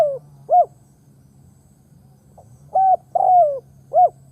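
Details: Spotted dove used as a lure bird, cooing in a broken phrase: one arched note, a long silence, then a flat coo, a long falling coo and a final arched note, with a continuous low hum beneath.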